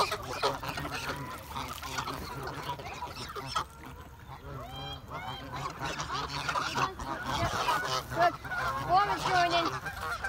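Geese honk in a busy, overlapping chorus, harsh nasal calls tumbling over one another several times a second, with a steady background rumble.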